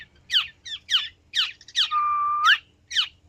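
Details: Black-naped oriole giving repeated harsh, raspy calls, broken by one long level whistled note lasting about half a second, against a faint low hum.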